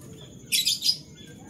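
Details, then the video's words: Canary in the morning: a brief cluster of three harsh, high twittering notes within half a second, over a steady faint high tone. "Canary Bird Sounds"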